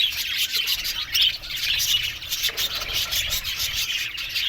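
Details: Budgerigars chatter in an aviary, uneven bursts of squeaky chirps repeating around fifty times a minute over a steady background of twittering.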